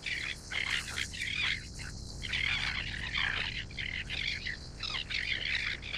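Greater crested terns calling together, a dense chorus of harsh, grating, rasping cries overlapping almost without pause, with a low rumble underneath.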